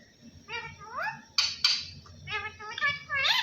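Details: Talking parrot voicing "Allah Hoo" in a speech-like run of harmonic syllables that glide upward. There are two sharp broadband squawks in the middle, and a rising note ends the run.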